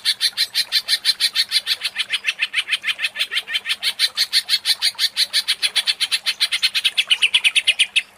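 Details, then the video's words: Greater green leafbird provoked into agitated, nonstop singing: a long, steady run of quick, evenly pulsed high notes, roughly three per second, slowly sliding lower toward the end, with a faint low hum underneath. "Pancingan Cucak Ijo menjadi emosi & gacor ngentrok"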